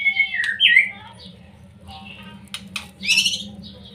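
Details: Provocation song of a young white-rumped shama, used to rouse silent birds: a loud downslurred whistle, then sharp clicks and a harsh, buzzy burst of notes, with a constant low hum behind.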